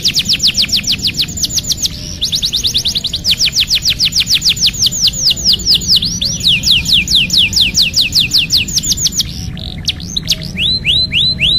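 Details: Canary song used to coax a silent bird back into singing: long series of fast, descending whistled trills repeated several times a second, shifting pace, ending in slower sweeping notes.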